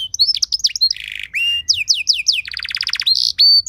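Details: Varied canary song for training other birds: twittering high notes, a buzzy rasp, clear sweeping slurs, a quick trill of short notes, and sustained high whistles at the end.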